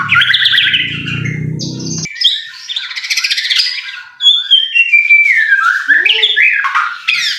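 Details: White-rumped shama song used as a provocation recording to stir caged shamas into fired-up singing: varied whistled and chattering phrases, a steady low hum under the first two seconds, then rising and falling whistles with a sliding high note.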